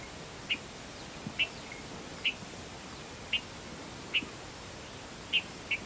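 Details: A red-vented bulbul (Pycnonotus cafer) calls with short, sharp, high chirps spaced roughly a second apart, seven notes in all, over a faint steady hiss.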